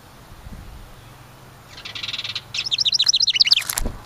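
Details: House wren at its cabin nest site, one of a pair using a ceramic birdhouse: a buzzy high phrase, a short pause, then a rapid cascade of bright notes falling into a fast trill, ending with a sharp knock.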